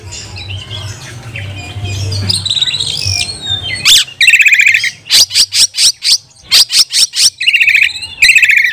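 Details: Oriental magpie-robin song used to train and provoke other magpie-robins: soft warbling and whistles at first, then a run of loud harsh rasping bursts repeated about twice a second, over a low hum.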